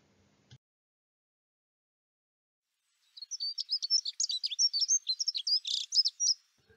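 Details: Dunnock song, a spring song likened to a sparrow's singing: a quick, high, warbling jingle of thin notes lasting about three seconds after a moment of silence.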